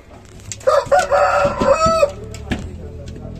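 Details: Rooster crowing: one loud drawn-out cock-a-doodle-doo with a strained, wavering tone lasting over a second, with clucks and knocking sounds before and after.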